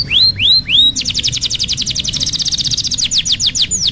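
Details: Tutor song for young canaries learning their sounds: three clear arching whistles, then a very fast buzzy trill of repeated notes, ending in slower downward-sweeping whistles, over a faint low hum.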